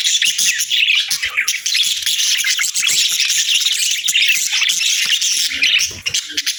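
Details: Parakeets on a winter morning at feeding time, a busy flock keeping up continuous high, scratchy chirping and chatter with barely a break.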